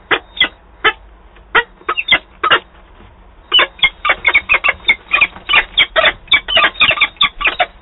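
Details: Two peregrine falcons dispute leftover prey in Wałbrzych, Poland, 5 October 2022; scattered harsh kak notes at first, a brief lull near the middle, then dense, quickening chattering bursts to the end.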